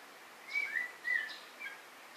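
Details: White-rumped shama giving clear whistled phrases near middle pitch, three short slurred notes spaced about half a second apart over a quiet, slightly hissy background.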